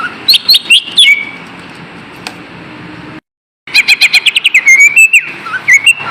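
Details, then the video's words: Green leafbird song used as a lure so kept birds stop being lazy: quick whistled and chirped notes, a brief silent break, then a rapid string of sharp repeated chirps and sweeping whistles. "SUARA PANCINGAN BURUNG CUCA IJO AGAR TIDAK MALAS"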